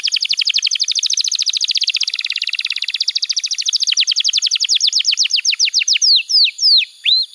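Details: A singing canary for training juveniles: a long, very rapid high trill that runs on for about five seconds and slows into spaced downward-swept whistled notes near the end, with a faint steady high tone underneath.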